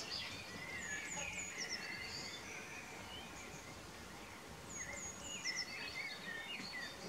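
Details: Common blackbird singing on the evening of 11 May 2018 in spring, perched on a house roof and a former telephone pole, filmed with a Nikon P900: two quiet warbled phrases ending in high twittery notes, with steady background noise.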